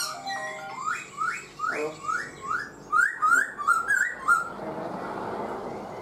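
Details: Song of a caged black-throated laughingthrush held four months: about a dozen rising whistled notes delivered rhythmically, several per second, growing brighter toward the end before fading into quiet room noise.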